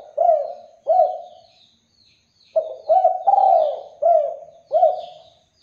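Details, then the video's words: Spotted dove, singing vigorously to call out answering doves; the end of one cooing phrase, a pause, then a complete run of five hollow, rolling coos. "LANGSUNG NYAUT DERKUKU JENIS APAPUN, DENGAN KICAUAN DERKUKU GACOR INI"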